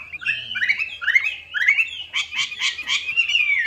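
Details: Melodious laughingthrush (Chinese hwamei) song played as a lure for a hwamei that has stopped singing: rising whistled slurs, then a quick run of four buzzy notes and a final falling whistle; faint low hum at first.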